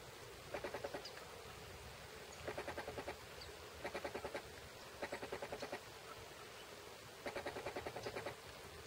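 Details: Yellow-fronted woodpecker (Melanerpes flavifrons), recorded 17 July 2011, gives five short, rapid rattling bursts of harsh notes, each under a second, spaced one to two seconds apart over a steady hiss.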